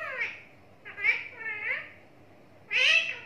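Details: Talking parrot kept as a pet, babbling in four harmonic, voice-like chattering phrases with rising and falling tones, the last one loudest; indoor setting.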